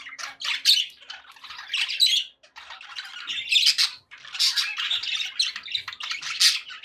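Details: Happy pet budgerigars chattering indoors: dense, scratchy warbles and squawky bursts, mostly high-pitched, coming in uneven clusters with brief pauses between them.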